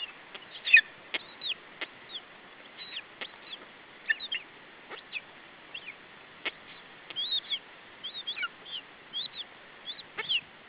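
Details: Lesser spotted eagle chick on an Estonian nest, 21 July 2012 around 17:12, guarding food from a parent. Scattered thin, high squeaks and short chirps come irregularly, mixed with soft knocks and clicks.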